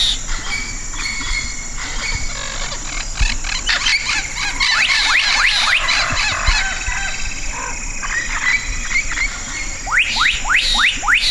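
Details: Black-capped donacobius song: a series of loud rising whistled notes repeated quickly toward the end, amid a dense chorus of other birds and insects with a constant high hiss.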